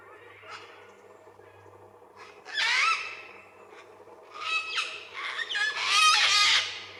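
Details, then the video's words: Cockatoos in the woodland of Mount Lawson State Park give harsh, rasping screeches in two bursts, the second a longer run of overlapping shrieks, on an icy-cold day after likely overnight rain; they seem to be shouting to warn off a passing cyclist. "I'm pretty sure these cockatoos are shouting at me, trying to warn me off."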